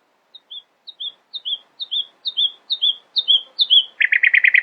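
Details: Nightingale singing in the early morning: a run of about eight slurred whistles, each dipping downward, swelling steadily louder, then breaking into a fast, buzzy rattling trill.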